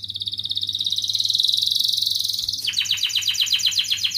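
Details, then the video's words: Training song for lazy canaries: a fast, even, buzzy trill that shifts abruptly into a coarser, harsher rattling phrase of separate rapid notes. "Kenari gacor NGEREK MBARONG Cuit cuit NGEROL ini terbukti Ampuh untuk pancingan Kenari Malas BUNYI"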